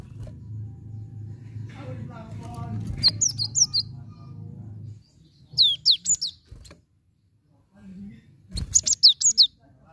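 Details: Cinereous tit recording used as a lure to make a silent caged bird start singing: short bursts of high, sharp, down-slurred whistled notes, three to six in quick series, separated by pauses, with low hum and faint voices.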